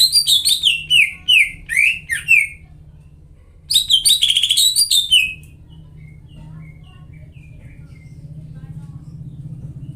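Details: Greater green leafbird in a cage giving an energetic lure song used to coax silent birds back into singing: quick runs of bright, downslurred whistles for about five seconds, then only a steady low electrical hum with faint distant chirps.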